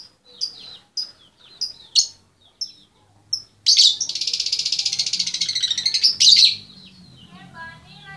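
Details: Female lovebird calling to the male: scattered sharp high chirps, then a long, rapid, buzzy rattling chatter lasting over two seconds, ending in softer lower twitters.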